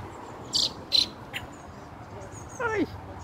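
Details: Fieldfare chick among its family, June 2nd: two loud harsh high notes and a softer third, then a drawn-out descending call near the end, over low background hum.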